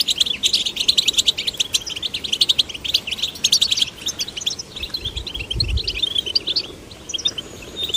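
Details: Goldfinch chicks of both sexes encouraged to sing: sustained fast twittering of high chirps and trills, thinning out toward the end, with a soft low rumble near the five-and-a-half-second mark.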